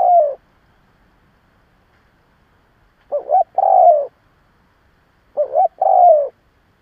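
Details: Decoy spotted dove raised by a keeper to incite other doves. It repeats a cooing phrase roughly every two and a half seconds: a wobbling two-note lead-in, then a sustained, gently falling coo. Quiet between phrases.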